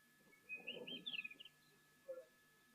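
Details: A Diederik cuckoo calls in the background at a waterhole with elephants on 11 November 2023. It gives a quick run of high, clear whistled notes, "dee-dee-dee-derik", rising and tumbling over about a second, with a low murmur underneath.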